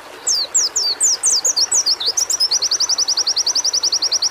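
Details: Caged-bird training audio of a white-eye singing: a series of loud, high, downslurred whistles gives way to a fast, regular trill of short, sharp notes that runs to the end.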